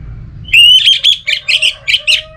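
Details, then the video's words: Lure song from an orange-headed thrush, used to trigger singing in kept birds. A loud, rising, sustained whistle breaks into a quick rhythmic string of five or six buzzy, high chirped notes. "ANIS Merah Dirumah Pasti Bunyi Dengar Pancingan Kicauan Burung ini"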